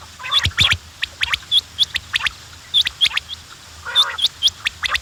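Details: Quails giving thin, hooked chirps about once a second, with sharp clicking taps between them and one brief harsh squawk.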